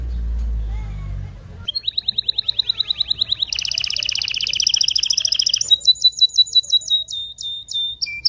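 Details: Strong canary song said to prepare females and males for mating; a brief low rumble first, then a steady rapid series of short whistled notes, a loud buzzy two-toned roll, and crisp repeated high notes.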